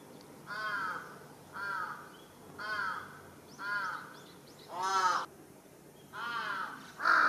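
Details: A large-billed crow making a fuss atop a utility pole in a residential area on 1 July 2023 gives loud, harsh, nasal caws about every second, some hoarser and rising, over a faint hum.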